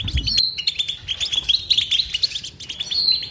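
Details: Goldfinch batbata song: liquid twittering with clear whistled slurs, rapid chirps and brief trills in quick succession. A soft low thump sounds at the start.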